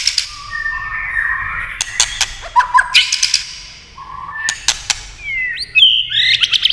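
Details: Tail-tapping clicks with a white-rumped shama's song: steady whistles, a quick warbled passage and bright rising notes near the end.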